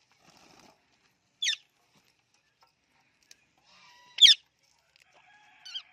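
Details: Indian ringneck parrot kept as a talking pet makes two bright clicks, the second louder, then a short click ending in a falling whistle, over faint soft tonal chatter.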